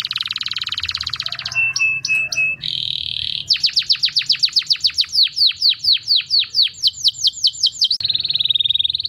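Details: Canary singing a loud, varied song: buzzy rolls, short repeated notes, then a fast series of downward-sweeping whistles, about four per second, ending on a steady trill.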